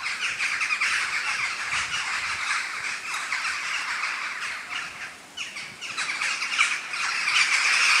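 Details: Large flock of western jackdaws flying at sunset to roost in trees near a shopping center in The Hague, Netherlands, October; loud continuous chorus of harsh, clipped chack calls, several per second, overlapping.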